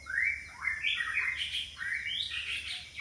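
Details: White-rumped shama song used as a decoy to lure rival birds: rich whistled phrases sliding up and down, continuous and slurred, with a faint steady high hiss behind.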